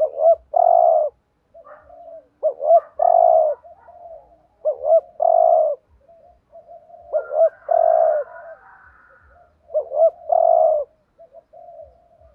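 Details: Spotted dove decoy cooing to provoke rival males, a low mellow phrase of two short notes and a long coo repeated five times about every two and a half seconds, with soft tapping in the background.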